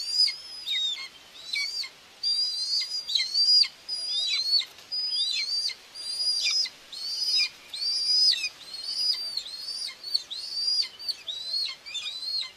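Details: At a Hungarian nest in Tiszalök on 2 June 2024, a common buzzard mother feeds her two young. A steady series of high, slurred whistles, each rising then dropping, comes roughly seventy times a minute.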